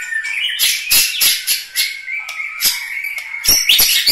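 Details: Genuine Medan Bahorok Bukit Lawang white-rumped shama delivering a long steady whistle interrupted by sharp clicking notes and harsh bursts, repeated in a quick, irregular rhythm.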